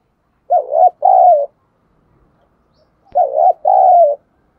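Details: Decoy spotted dove giving its luring call: two matching coos about two and a half seconds apart. Each is a short wobbling syllable followed by a longer, smoother falling one, over silence.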